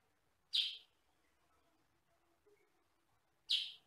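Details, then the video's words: Sooty-headed bulbul of the yellow-and-black 'kutilang sutra' type, recorded for training other birds: two loud, sharp high chips about three seconds apart, with near silence between. "MASTERAN BURUNG KUTILANG SUTRA"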